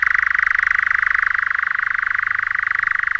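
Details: A European Nightjar, a scarce summer visitor to English deciduous woodland, churrs at June dusk: a sustained, steady, dry trill of very rapid notes, up to 1900 a minute, rising and falling, like a distant motor.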